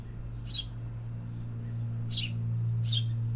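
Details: Urban birds: one high chirp, a pause, then two more close together, each a brief downward-sliding note, with a loud steady low hum throughout.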